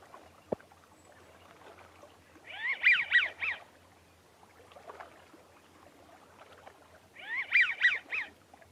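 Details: American wigeon (Mareca americana), whistled "zoom zoom" call: two bursts of breathy, wheezy whistles, three or four quick rising-falling notes each, about four seconds apart; faint background chatter and a single click.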